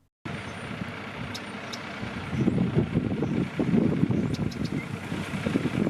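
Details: Rumbling truck engine noise outdoors in a built-up area, with a few faint high beeps and no animal voice.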